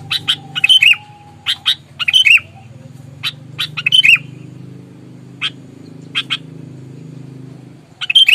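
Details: Sooty-headed bulbul in aggressive, fighting mood, meant to provoke rivals: harsh broadband chattering bursts in short clusters, some ending in bright whistled down-slurs, spaced irregularly over a steady low hum.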